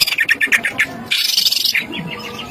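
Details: Greater green leafbird song, used as a lure recording to provoke other leafbirds into agitated singing: a run of short bright chirps repeated rapidly, then a dense buzzy rattle, then more sharp twittering notes.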